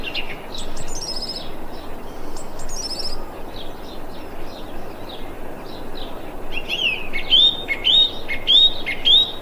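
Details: A thrush gives short, high chirps, then a run of sharp, rising whistled notes about every second, over steady wind-like background noise; recorded 25 February 2021.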